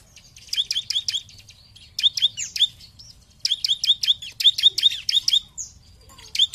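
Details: Bar-winged prinia in energetic 'gacor' singing, used to provoke opponent birds: bursts of quick, ringing high notes in rapid runs of four to six, with short pauses between phrases.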